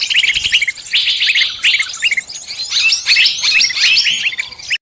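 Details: Bird lure recording used to attract all kinds of birds for trapping: dense, rapid high chirps and short whistled notes in quick, irregular bursts that barely pause, with a clean stop near the end.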